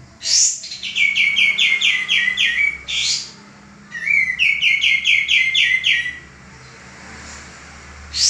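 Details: Male common iora singing for cage-bird training: two phrases of quick, evenly spaced chirps dropping slightly in pitch, each opened by a strong high sweep, with a quiet gap between them.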